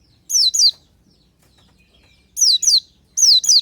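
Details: Oriental white-eye, known locally as pleci, singing in the morning as a natural lure to prompt other birds: three bursts of paired thin, high, sweet whistles sliding downward, each pair lasting about half a second, separated by silence over a faint low hum.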